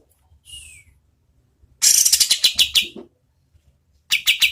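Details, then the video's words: Oriental white-eye song as a tutor for competition birds: a thin descending whistle, then a dense fast run of bright, slightly buzzy high chirps, a pause, and a new burst of chirps at the end. "KAPAS TEMBAK GACOR SPEED SEDANG Bagus sekali buat MASTERAN BURUNG LOMBA"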